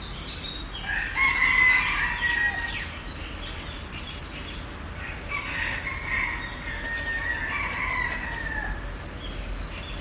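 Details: Green peafowl, filmed on a Sony A7IV in 2022: a series of loud, crowing, two-part nasal calls with rich harmonics, one strong burst early and a softer pair later, over faint hum.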